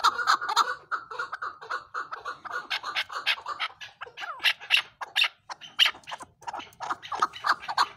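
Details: A captive chukar partridge (Alectoris chukar) gives a rapid run of harsh, clucking chuck notes, several a second, with short pauses between bursts.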